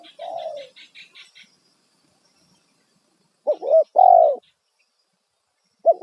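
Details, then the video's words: Spotted dove giving a loud 'kuk satu' lure call to attract wild doves. A short cooing note comes first, after thin high chirps of another bird. Then comes a pause and one clipped double note with a long, full coo. "Panggilan suara tekukur kuk satu suara lantang auto burung liar respon"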